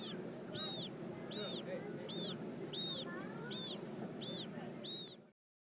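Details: Zoo-kept Magellanic penguin chick in San Francisco being fed by its mother, repeating shrill, arching whistled peeps roughly every 0.7 seconds, seven in a row, with low murmuring noise beneath before the sound cuts off.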